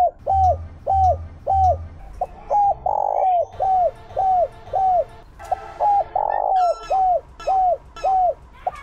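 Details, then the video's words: Decoy spotted dove performing 'Chiêu Ba Hậu' calls meant to draw in wild doves: a steady string of brief, hooked coo notes about every half second, broken twice by longer, broader hoots, with faint low thumps at the start. "Tiếng Chim Cu mồi Chiêu Ba Hậu Dùng Kích Bổi"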